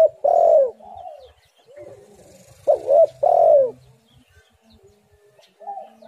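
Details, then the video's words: Lure call of a spotted dove for drawing doves to sing: loud short-then-long rolling coos opening the clip and again midway, with softer coos trailing after each phrase. "tekukur super gacor suara yang di nanti nanti semua burung"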